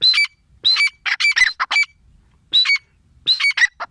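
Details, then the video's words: Female grey francolin (teetar) calling in quick clusters of sharp, high, ringing notes, separated by short gaps. "Teetar awaz l teetar voice l female teetar sound gray francolin"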